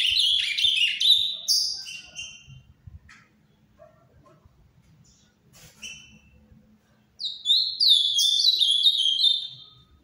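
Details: Caged ultramarine grosbeak singing paraná-style farrapo song in a subdued voice: a rich burst of quick slurred whistled notes, several seconds of near silence with a few faint clicks, then another lively warbled phrase.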